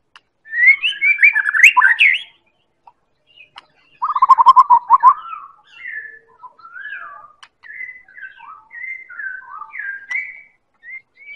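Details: Medan White-rumped shama song as a lure for other birds: a fast, high, tangled burst of whistles, then a trill of quick repeated notes, then a long string of separate varied whistled phrases.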